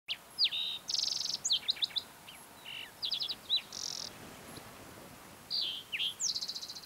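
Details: Green-tailed towhee (Pipilo chlorurus) singing on a June morning high on the Mesa Verde Plateau, Colorado: a jumbled run of clear slurred whistles and buzzy high trills, ending in a rapid descending trill, in a quiet open setting.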